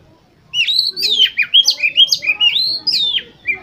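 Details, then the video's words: Oriental magpie-robin, a competition songbird, singing to provoke other birds into full song. After a brief pause comes a fast, unbroken stream of sweet whistled notes with swooping slurs and a few sharp high chips. "Pancingan Untuk Kacer Lomba Agar Cepat ON Dan Gacor Konslet Di Gantangan"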